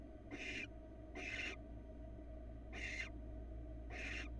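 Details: Barn owl family in a Florida nest box, female and two young, with a small mouse delivered: four evenly spaced, noisy screech bursts, each about half a second, over a low mechanical hum.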